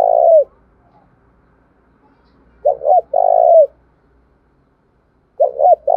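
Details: Decoy spotted dove calling fiercely so wild doves answer: a deep coo ends, then after a silence comes a quick double coo and long drawn note, repeated once more at the close.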